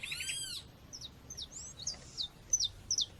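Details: Calls of a female seedeater, meant to warm up male coleiros or papa-capins, set against nature sounds: a few thin, high, downward-slurred chips spaced irregularly, following a ringing, arched call of another bird at the start.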